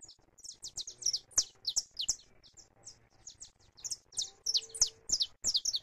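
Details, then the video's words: Saffron finch singing free, recorded live, pouring out a steady stream of high, sharp, descending chirps in fast repeated groups, with faint low hum in the background. "CANÁRIO DA TERRA CANTANDO LIVRE"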